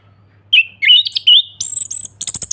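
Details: Orange-headed thrush song used as a lure to set off a silent caged bird: clear whistled notes near mid-high pitch, sliding and varied, then a burst of rapid high buzzy chips; faint low hum underneath.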